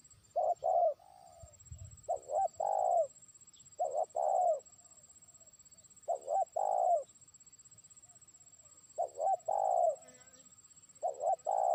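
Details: Trained decoy spotted dove beginning to call a distant rival: short phrases of low, hollow, rounded coos, two or three notes each, repeated roughly every two seconds, over a faint steady high-pitched tone.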